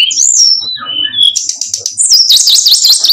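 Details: Brown-chested jungle flycatcher song for tutoring: clear descending whistled notes, then a dense, buzzy chatter, and finally a fast wavering trill of high, rippling notes.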